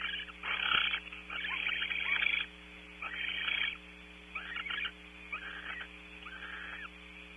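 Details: Barn owls at a nest cam at Audubon Starr Ranch, California, during mating; the male leaves at 21:06. Harsh, raspy hissing bursts come in irregular runs of about a second each, over a steady electrical hum.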